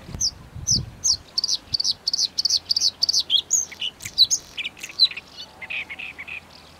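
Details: Bluethroat song with a long run of high, clipped notes repeated about five per second, breaking into varied twangy and rattling phrases near the end; clean, quiet background.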